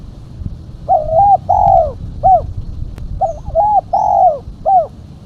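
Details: Female spotted dove giving its lure call: two matching phrases, each a quick warbled note, a long drawn-out coo and a short clipped final note, separated by a pause of about a second.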